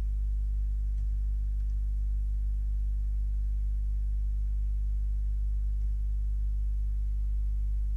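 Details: A constant low electrical hum runs throughout, with only a few faint ticks and no animal calls.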